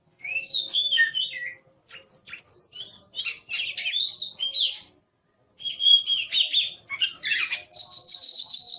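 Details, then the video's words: Oriental magpie-robin singing vigorously in phrases separated by short silences: twittering and scratchy runs, rich whistles, ending on a long steady high whistle. Used as tutor song for songbirds. "Suara Burung Kacer | Gacor"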